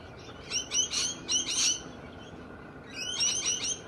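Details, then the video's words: Australian galahs, endemic Australian birds described as bold and loud: a quick run of four harsh, rasping screeches, a brief pause, then another burst of grating notes. "Australian galahs, merupakan burung endemik australia, perilakunya berani dan keras"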